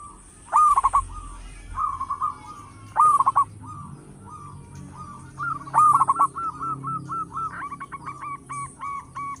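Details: Loud local zebra dove song used to lure other birds: three bursts of loud rolling coos spaced a few seconds apart, with softer repeated cooing notes between them and a steady run of coos at the end.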